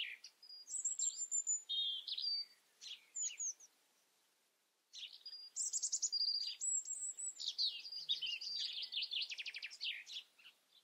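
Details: Wild European robin singing two long, rich phrases separated by a silent pause: high pure whistles, shifting warbles and fast stuttering trills, with faint low sounds in the background.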